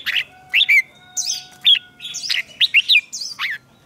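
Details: Competitive singing of a red-whiskered bulbul for training purposes: a steady run of short, bright whistled phrases, slurring up and down, with some higher sharp notes mixed in, about ten phrases in under four seconds.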